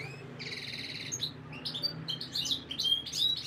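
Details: Canary song used as breeding conditioning to stimulate females' mating instincts: a buzzy trilled phrase, then varied high whistled notes and short rising chirps, with a low steady hum underneath.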